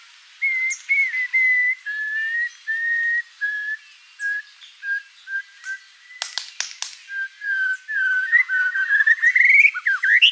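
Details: White-rumped shama song of level whistled notes repeated at steady intervals, interrupted by sharp clicking sounds, then building into faster, more varied rising notes at the end.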